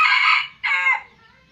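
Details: Red junglefowl from Aceh, used as a lure call, giving a short two-part crow: a loud harsh burst, a brief gap, then a second fading phrase. The background is otherwise quiet.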